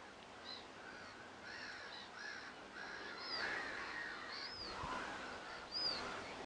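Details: Little ringed plovers give a few short, high, downslurred whistles near the end, over a steady bed of harsher chattering calls from other birds.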